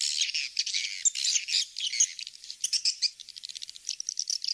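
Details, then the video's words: Swiftlet lure recording meant to attract swiftlets: busy high twittering and chirping, first dense and buzzy, then breaking into quick clipped notes repeated in rapid series. "suara panggil walet kings star"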